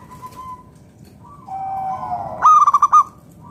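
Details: Zebra dove, a local wild-type perkutut used as a lure to get other doves singing: soft low cooing builds, then a loud burst of rapid staccato rolled notes near the end.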